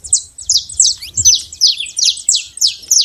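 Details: Saffron finch free in the wild, delivering rapid, evenly paced high chips, roughly three per second, each a short buzzy downslur. A little low rumble shows at the start.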